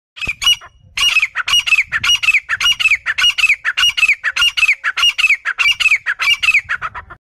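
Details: A female grey partridge from a breeder pair gives harsh, rasping squawks in a rapid run, about a dozen grating notes in seven seconds, with nothing else heard.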